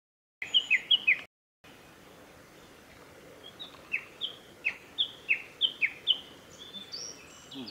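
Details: Male black-faced bunting at the North Fuji training area, Japan, on 13 June 2021: a few loud short chirps, a break, then a series of sharp high downslurred notes about every half second over a background hiss.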